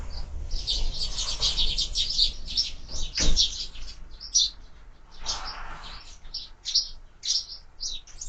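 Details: Sparrows feeding at feeders fixed to a window chatter in a busy, overlapping stream of bright chirps, with a dull thump near three seconds and scattered single notes toward the end.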